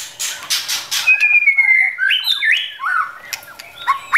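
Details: Forest White-rumped shama pair, the female stimulating the male to practise his voice; after a burst of rustling noise, one long whistled note gently falling, then varied short slurred whistles and chirps, ending with scattered sharp notes.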